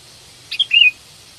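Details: Single brief phrase from a sooty-headed bulbul, kutilang ranting, seeking a mate and used as a lure: a short chip and clear note leading into one slurred, gently falling whistle.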